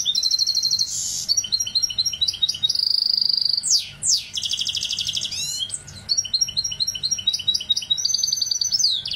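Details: Song of a goldfinch hybrid: loud buzzy trills and repeated high notes, a long steady whistled tone, sharp downward sweeps and a fast rattling series, all alternating in quick succession.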